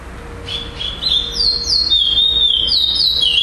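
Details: Chestnut-bellied seed finch, known in Brazil as curió, singing at a tournament in Florianópolis, Brazil, on 11 December 2011, first-place bird; clear whistled notes around a steady pitch with sliding upward and downward inflections, starting after half a second, faint steady hum below.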